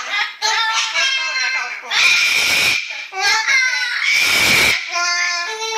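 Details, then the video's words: Captive yellow-naped amazon singing the pop song "Little Apple" indoors as dogs protest; strained, voice-like wavering notes alternate with rough, screechy bursts, loud and close in a small room. "Yellow-Naped Amazon Parrot Singing 奧迪練唱「小蘋果」"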